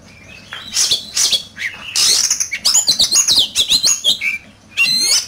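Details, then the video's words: An oriental magpie-robin sings hard in competition. Scratchy bursts lead into a rapid train of high whistled notes with jumping pitch, then a brief pause and a final bright flourish. "Chòe Than,Bộ Đẹp,Hót Đấu Căng Lửa."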